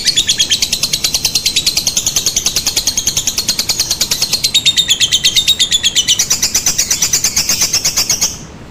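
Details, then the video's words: Lovebird lure call in the long drawn-out tarikan panjang style, meant to prompt other lovebirds to answer: an unbroken stream of very fast, thin, high chattering pulses lasting over eight seconds, then ending abruptly. "Suara Pancingan Lovebird Ngetik, Ngekek, Tarikan Panjang Bikin Lovebird Anda Ikutan Nyaut Seketika"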